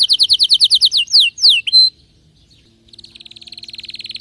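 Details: Singing canary, excited, delivering a fast series of loud descending chirps, a couple of long falling slurs and a short whistle, then a soft accelerating trill.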